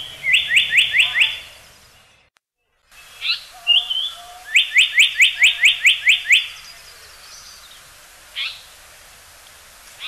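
Japanese paradise flycatcher giving fast runs of about five to eight bright, rising chirped notes, with a few single notes between the runs; faint rain hiss underneath.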